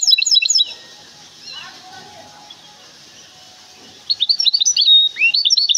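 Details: Goldfinch hybrid from Témara, Morocco, singing. A burst of fast, high, twittering trills opens the song, followed by a quiet pause with faint background noise, then a renewed run of rapid chirping phrases.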